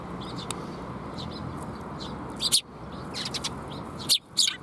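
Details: Sparrows gathering to be fed at a Tenmangu shrine in May 2021, giving brief high chirps in clustered bursts, with faint steady background noise.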